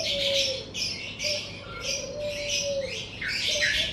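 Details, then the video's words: Several birds calling in the morning in front of a house: rhythmic bursts of sharp high chirps roughly twice a second over long, level, lower whistled or cooing notes. "Suara Kicau Burung"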